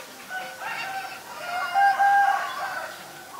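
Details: Loud, ringing harmonic call of a Black-collared starling in Ubon Ratchathani, Thailand, 17 April 2022: layered nasal tones build to a bright, steady note lasting about half a second, then fade.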